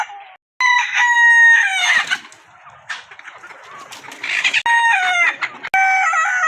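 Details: Rooster crowing: a loud, ringing cock-a-doodle-doo opens, then rough, noisy clucking and chatter fill the middle, and fresh crows break in near the end, each with a steady, harmonic-rich tone.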